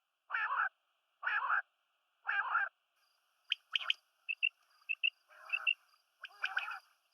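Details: Quail, a mix of female and male calls: three harsh rasping notes about a second apart, then quicker short clipped notes and further rasping bursts.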